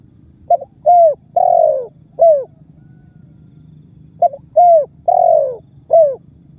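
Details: Spotted dove in calling (memanggil) mode, a lure that gets other birds to call and speeds target birds to trappers. Two identical four-note phrases about four seconds apart: a stutter, a coo, a long drawn coo, a short coo.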